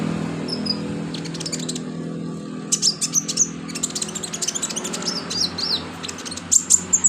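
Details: Sunbird singing, used as filler song for training birds: busy, overlapping high chattering chips and short slurred whistles, growing louder toward the end, over steady low hum and background noise.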